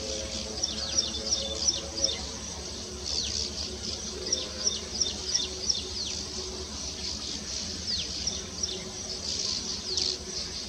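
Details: Male Baya weaver singing while weaving its nest in India: fast chattering series of short, high, downward-sliding notes, bursting in clusters, over a steady insect-like buzz and low background noise.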